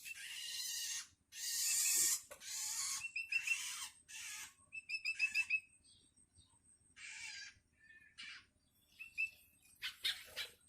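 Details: A hungry Long-tailed shrike nestling that is learning to call gives loud raspy hissing bursts at first. Then come softer, quicker broken notes mixed with short, thin, clear chirps.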